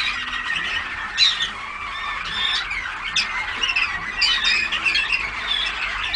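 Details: Several young Waterslager (Malinois) canaries, 14 August 2009, chattering and warbling together; overlapping high trills and chirps with a few louder bursts of rapid notes around the middle and end.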